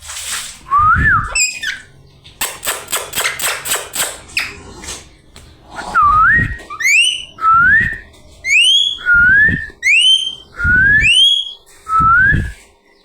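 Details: Talking parrot opening with a rising whistle and a rapid rattling burst, then repeating a bright swooping whistled phrase about every one and a half seconds, each ending in a sharp upward flick.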